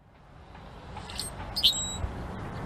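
A blackbird gives one sharp, high chirp, with a few fainter high notes just before it, over a steady background hiss.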